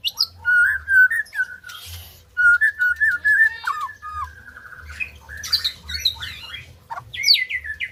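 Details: Song of a white-rumped shama, meant to prompt quiet birds to sing: runs of bright whistles repeated rapidly, mixed with harsh scratchy bursts and high twittering notes toward the end, over a low background hum.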